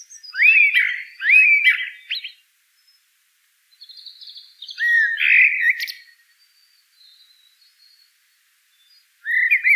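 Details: Common blackbird singing in loud, separate phrases. Each opens with rich fluted whistles, then breaks into squeaky, scratchy high twitters. Short silences fall between phrases, and a fresh phrase starts at the close.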